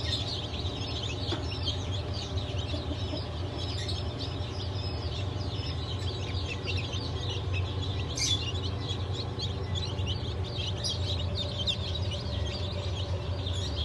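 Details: Newly hatched chicks of mixed breeds (Blue, Light Brahma, Wyandotte, Sebright, Legbar), 07.07.2023 hatch, keep up continuous high-pitched cheeping, with a brief louder squeal near eight seconds and a steady machine hum.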